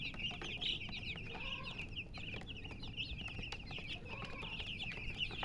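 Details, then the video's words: Baby chicks keep up a steady flurry of thin, high chirps, many birds calling at once, over low background noise with occasional soft mid-pitched sounds. "MURGI Baby "Chicks Chirping" Sound"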